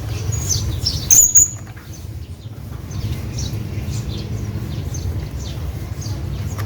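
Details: Hanging parrot calling to its companion: a few thin, very high squeaky notes near the start, then soft faint chirps over steady low rumbling background noise.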